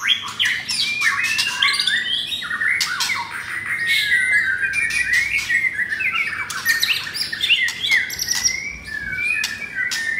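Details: Pied white-rumped shama kept caged, with rough song material, singing on the morning of Saturday 10 September: a rich, varied stream of rapid slurred whistles, squawks and chattering notes without pause.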